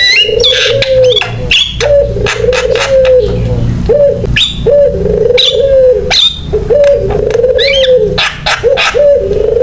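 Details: Lure song of an actively singing Javan myna for prompting other mynas: repeated low steady whistled phrases about every two seconds, broken by snapping clicks and short high rising notes.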